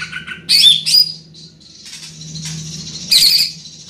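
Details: Large-bodied greater green leafbird with a loud, carrying voice, giving two bursts of harsh, squawky high notes with a short whistled slur, separated by a quiet pause over a steady low hum.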